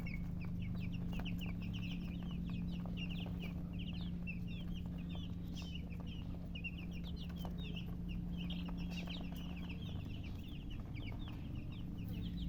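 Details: Chicks chirping nonstop, a busy chorus of high, short descending peeps at irregular intervals, accompanied by a low steady hum and occasional soft clicks.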